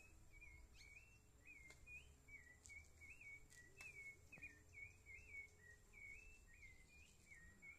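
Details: A caged male White-throated seedeater circles the cage wanting to fight, giving a soft, steady stream of short, slurred, high twittering notes for several seconds, over a low background hum and a few faint clicks.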